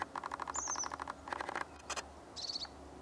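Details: A crested tit in Norway, its call resembling a Red-throated Pipit, gives a dry, purring rattle of rapid notes, twice, mixed with thin, high-pitched 'zee' notes, over a faint low hum.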